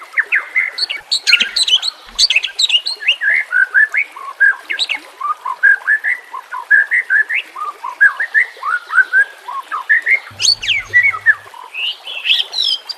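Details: White-rumped shama training song ('nembak kasar') with natural water sounds. A dense, jumbled stream of quick chirps, slurred whistles and sharp high notes runs without a break.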